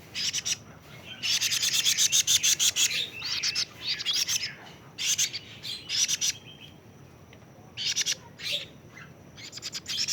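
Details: Young plaintive cuckoo, 41 days old, giving dense bursts of harsh, high chirps in rapid repeated runs, some sustained for a second or more, with short pauses between bursts.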